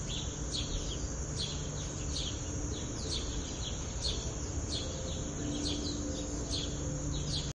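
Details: Birds at a nest feeding their young: thin, high, down-slurred chirps repeat roughly twice a second, soft against a steady high hiss and a heavy low rumble of background noise.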